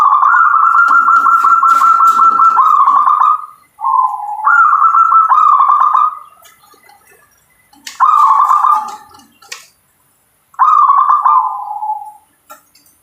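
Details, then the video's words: Local zebra dove singing long, rapidly trilled cooing phrases that fall into lower purring notes, separated by short silences, with a few sharp clicks and knocks. "Suara perkutut lokal"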